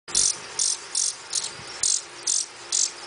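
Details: Blue-winged warbler (Vermivora cyanoptera) nestling in rehab, being fed, gives very high, hissy begging bursts, about seven in three seconds, each a short buzzy rasp, over a faint background hum.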